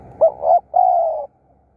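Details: Spotted dove used for decoying wild doves, a single close phrase of two short low coos running into a long steady hollow note.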